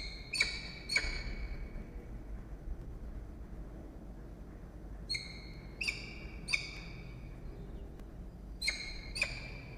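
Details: Peregrine falcon at its nest box atop a water tower at Charles Sturt University near Orange, New South Wales, Australia, 16 October 2021 in the afternoon: short, sharp, ringing notes rich in overtones, given in pairs and threes between pauses, over low steady rumble.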